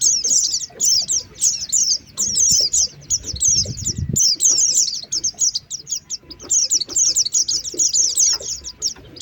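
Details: Lure recording of Oriental white-eye for drawing birds down: continuous high twittering chirps in long busy runs, a short break near four seconds, with a low rumbling knock in the background.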